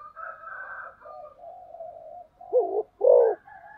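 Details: Spotted dove in the speed-cooing 'cu gáy tốc độ' style, two strong, low, rounded coos near the end following a stretch of softer overlapping tonal humming and whistled background sounds.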